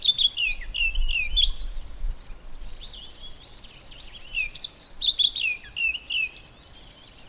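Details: A white-browed scrub robin sings from inside a bush: quick runs of slurred, warbled whistles delivered in repeated phrases separated by brief gaps, with some higher thin notes on top and faint low background noise.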